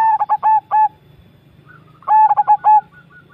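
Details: Zebra dove from Java giving two rapid, rolling cooing phrases of clipped tremulous notes and a drawn-out final note, about two seconds apart, a faint second coo in between.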